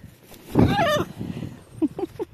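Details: Playful, chatty macaw outside on a calm, sunny February day just above freezing. A loud, grating call slides downward for half a second, then softer short croaking notes follow, with a person's voice faintly nearby.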